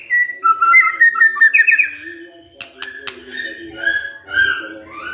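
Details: Shama singing after hearing a lure recording: a fluent chain of clear whistled notes, then clicks and softer varied whistled phrases rising and falling.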